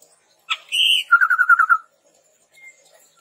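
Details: Red-rumped tepus song played as a lure and tutor for training birds: a sharp note, a steady whistle, then a quick trill of about seven stuttering notes dropping in pitch.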